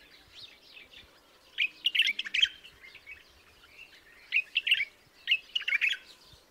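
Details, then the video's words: White-eared bulbul (Pycnonotus leucotis) singing short, bubbly, chattering phrases: three clear bursts of quick tumbling notes a second or so apart over a quiet background. "The sound of the white-eared nightingale singing"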